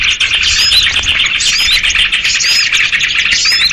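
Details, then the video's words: Sooty-headed bulbul commotion, kutilang ribut, played to lure small birds for trapping: unbroken rapid twittering with bright whistled notes curving down, recurring roughly every second. "SUARA PIKAT BURUNG RIBUT || KUTILANG RIBUT || UNTUK PIKAT BURCIL"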